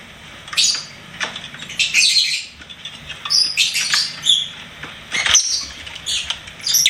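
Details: Pet lovebird singing and chirping: rapid scratchy chirps and shrill squeaks in uneven clusters, with a few thin whistled high notes throughout.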